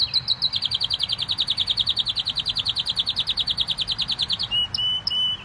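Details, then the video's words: Canary singing a long, very rapid high trill of evenly spaced notes, slightly descending at first, ending with a couple of short sharp chirps. "Best canary singing"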